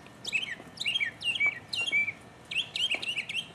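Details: Mockingbird singing solo in 2015: bright, buzzy notes that swoop down, each phrase repeated several times at a quick pace, with short pauses between bursts.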